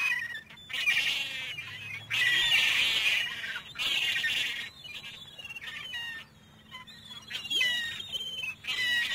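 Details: Gull squawks come in loud, rough bursts lasting about a second each, separated by short pauses. Thinner, sliding cries and a few sharp clicks fill the quieter stretches.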